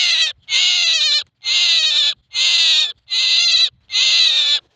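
A myna gives harsh, grating, buzzy calls, each under a second long, repeated in a steady series about once every second.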